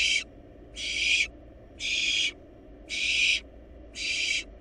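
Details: Wild barn owl nestlings in a monitored nest box, feeding on a large rabbit: five harsh, breathy hissing bursts, each about half a second, repeated roughly once a second over quiet background hum.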